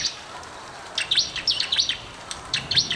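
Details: Lively Bar-winged prinia song meant to stimulate silent birds: clusters of shrill, high chirps and short falling notes, spaced in quick bursts with brief pauses between.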